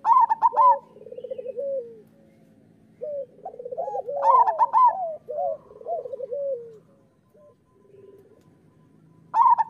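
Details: Master song of local zebra doves, meant to stimulate doves to sing: loud rolling coos open and close the passage, with softer stuttered trills and falling glides from several birds between them.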